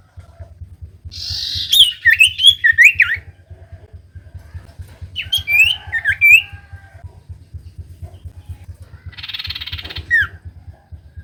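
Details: Lure recording of common iora song for coaxing silent birds: short phrases of twisting, downslurred whistles separated by pauses, ending in a buzzy trill with a falling note, over a steady low drone.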